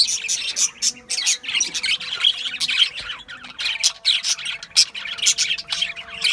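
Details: Dense warbling chatter from a group of Australian budgies, rapid high chirps and squeaks overlapping in quick bursts, with a low steady hum beneath.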